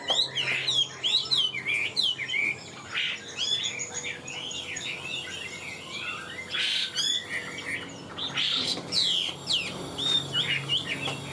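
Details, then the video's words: A caged Chinese hwamei, about 95% tame and newly acquired, sings high and is getting fired up: loud, rich whistled phrases, rapid and varied with slurred rising and falling notes and brief pauses, over a faint low hum. "Họa mi bóng bộ to đẹp hót cao"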